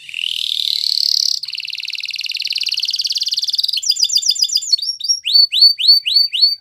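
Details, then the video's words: Song of a Spanish Timbrado canary: a rising buzzy roll, a long steady rapid trill, then crisp repeated upswept notes spaced about a third of a second apart. "Canary Bird Singing !! Spanish Timbrado Song"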